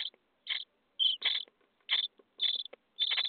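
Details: Starling chicks in a nest box, day 23, begging during feeding: quiet clusters of buzzy rasping calls, some doubled, with faint scratchy noises between them.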